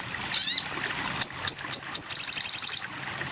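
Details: Sogon bird on a master song recording: one buzzy sweeping note, then a pause, then a quickening series of sharp high chips running into a fast even trill.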